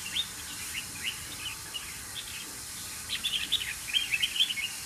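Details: Red-whiskered bulbuls on a bird farm: many short, high chirps and twittering notes in an irregular flurry that grows busier and louder toward the end, over a steady background hiss.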